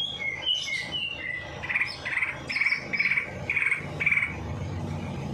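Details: Bird song used to stir a lazy bird into singing after its night bath; a run of short slurred whistles repeated about twice per second, with a steady low hum underneath.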